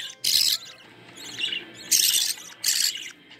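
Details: Budgerigar nestlings beg during feeding by their mother: three loud, hoarse rasping bursts with quieter scratchy chirps between them.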